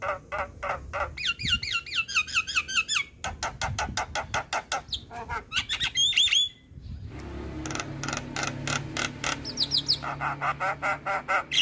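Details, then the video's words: Black-winged starling song meant for training young starlings: loud rhythmic bursts of harsh chatter, a stretch of buzzy rising trills, and sharp whistled notes, delivered in pulsing sequences over faint hum. "Jalak kebo Gacor MAsteran Untuk Semua Jenis Burung Jalak Muda"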